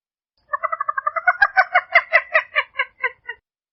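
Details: Purple gallinule calling in a rapid run of clucking, nasal notes that grow louder and rougher midway, then slow and fade toward the end, with a clean quiet background.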